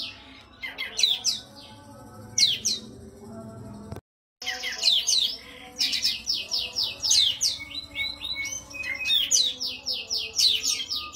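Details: Oriental white-eye singing a masteran for training songbirds: high rapid twittering phrases, a short break near four seconds, then long runs of quick repeated chirps.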